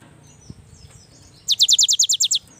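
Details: Cinereous tit, young and singing actively: after quiet background, a single fast series of about nine piercing high notes delivered in quick succession.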